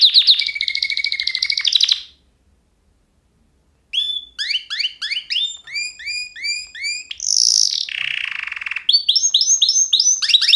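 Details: Canary song: a steady high trill for two seconds, a pause of about two seconds, then rapid repeated sweeping whistled notes, a harsh buzzy burst and a fast ringing trill to the end.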